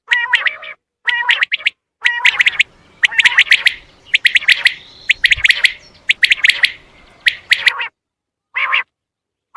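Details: Common quail call played to attract quail for hunting: rapid groups of three sharp, bright notes repeated roughly every second, mixed with nasal, harmonic mewing calls, ending with a few isolated nasal notes.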